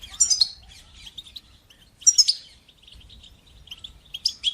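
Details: Goldfinch singing in the batbata and satsata styles to encourage young birds to learn song: three bright twittering bursts about two seconds apart, linked by thin, fast, high chatter.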